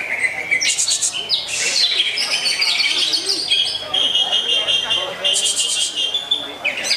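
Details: Greater green leafbird singing a rich, varied song: high bright whistles and sweeping notes with steady sustained tones near the top, delivered continuously with brief harsh buzzy bursts in between.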